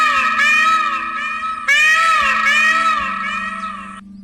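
A peacock gives two loud, nasal, wailing calls, each about two seconds long and slightly arched in pitch, over a low steady musical drone.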